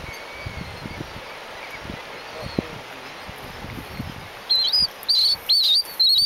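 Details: A Galapagos mockingbird on Genovesa island, Galapagos, sings loudly: after several seconds of quiet background noise and low thumps, it bursts into high, warbled phrases of four quick twisting notes about half a second apart.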